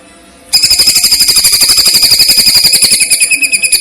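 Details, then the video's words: Greater green leafbird (cucak ijo) in a masteran training recording of woodpecker-style (platuk) and cililin-style song with pauses. After half a second of quiet, rapid harsh high notes repeat steadily at about four per second. "masteran cucak ijo rasa platuk vs cililin dgn jeda"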